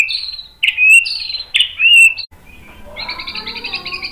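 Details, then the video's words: White-rumped shama song meant to provoke other shamas: two loud, clear whistled notes sliding downward, followed by a softer, fast, buzzy high trill. "MASTERAN MURAI BATU memancing EMOSI jadi NYAUT GACOR"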